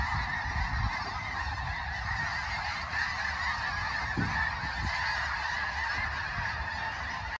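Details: Thousands of honks blend together from a huge Snow Goose flock at Limestone Bay in north Alabama, iPhone recording: an unbroken chorus of nasal calls, steady in loudness, with a few low thumps and rumbling noise beneath.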